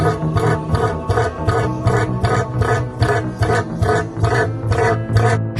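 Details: Rhythmic plucked guitar music with evenly repeated strums, about two or three per second, and no bird or other animal sound.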